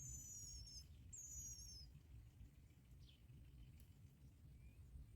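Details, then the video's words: Bar-winged prinia chicks begging while both parents bring black locusts to feed them; two thin, high, downward-sliding squeals in the first two seconds, then only faint scattered notes over a low background rumble. "Both bar winged prinia birds brought black locusts for their children to eat"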